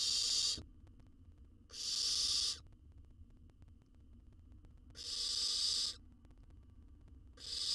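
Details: Wild young owl in a camera-monitored nest box in Israel, swallowing a jird whole. Loud, scratchy hisses repeat about every three seconds, one clipped at the start and one at the end.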